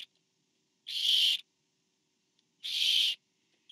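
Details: Barn owl, parent delivering food to owlet number four, 24 September 2015: two loud breathy screeches, each about half a second, repeated about every 1.7 seconds, with a clipped start of another at each edge.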